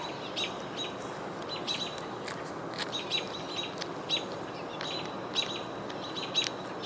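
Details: American Robins giving sharp, high agitated chips and clicks about once a second, unhappy that a Red-tailed Hawk is nearby, on the Cornell University campus, Ithaca, New York, 22 June 2023; a house sparrow possibly also calling, over steady hiss.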